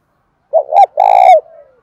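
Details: Single loud spotted dove phrase, calling to a kept house bird that coos in reply: two short notes rising and falling, then a long full coo that tails off into a soft descending murmur.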